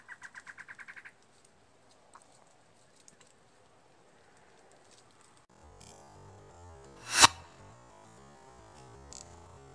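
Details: Large-billed Antwren (Herpsilochmus longirostris) singing a quick one-second series of about nine even, mid-pitched notes, then silence; later a rumbling, music-like background with one loud sweeping burst.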